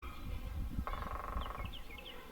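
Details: At a campground in Hamburg State Park near Mitchell, Georgia, a Red-headed Woodpecker gives one harsh, buzzy, rattling call under a second; thin, high, downslurred chirps follow over a steady low wind rumble.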